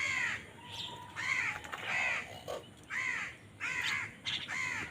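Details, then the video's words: Crows fighting for food call loudly, a run of harsh rasping caws repeated about every half second to second in uneven sequence, with a brief thin tone and background hiss. "কাকের ডাক Crow Sound Crow ki Awaz Loudly | Crow bird Fight for Food"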